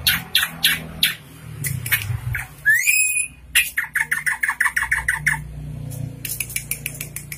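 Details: Tame, vocal drongo producing varied fill-in phrases: spaced sharp notes, a single rising whistle, then rapid repeated chattering notes over a low rumbling background.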